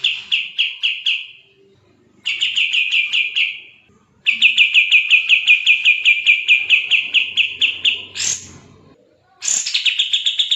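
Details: Bulbul, recorded as tutor audio for training other songbirds, sings fast, densely packed trills of sharp, evenly repeated chipping notes in bursts of one to five seconds separated by short pauses, with a higher rising squeal near the end.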